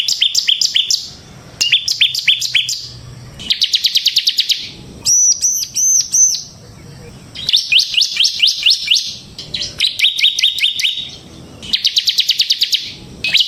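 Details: Bar-winged prinia used as a lure for training other songbirds: varied bursts of rapid high chips and trills, with one section of looping arched whistled notes, alternating with short pauses.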